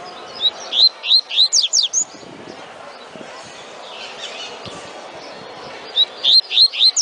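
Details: Double-collared seedeater singing in the tui tui style: bursts of bright, rapid whistled notes, rising and falling sharply, about seven in a run, a pause, then another fast phrase.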